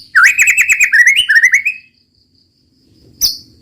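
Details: White-rumped shama in 'roll tembak' style song, a fast rolling run of rich warbled whistles that rises and falls over nearly two seconds, then silence and one sharp high note.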